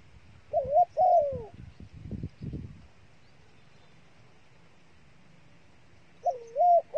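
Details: Dove used as bait, giving short wavering mid-pitched coos: a pair of notes in the first second and a half, low rustling thumps, a long quiet stretch, then another pair of coos near the end.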